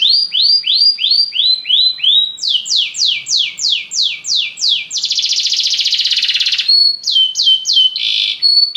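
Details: Belgian canary song built from distinct tours: repeated upslurred notes, a faster series of falling sweeps, a dense buzzy trill, then more sweeping notes, all high-pitched and loud.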